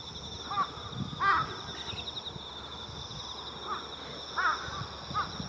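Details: Mixed flock of Jungle Crows and Carrion Crows gathering on countryside power lines at dusk in early October in Japan, a preroost gathering before the communal roost; scattered harsh caws from several birds over steady insect trilling.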